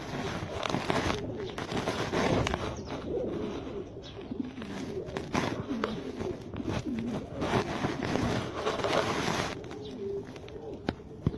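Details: Repeated low, throaty coos from a Jaafari pigeon, a very small pigeon type, rising and falling in short bursts over steady background noise and occasional sharp clicks.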